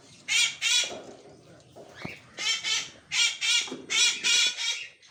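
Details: A grey parrot (Psittacus erithacus) gives harsh, raspy squawks, mostly in quick pairs, about eight in five seconds, with soft background noise between them.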